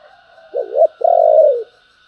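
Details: A single loud cooing phrase from a spotted dove, in the urging and calling styles known as gáy thúc and gáy gọi. A wavering two-part coo leads into one long, smooth, slightly falling note, with a faint constant whine behind.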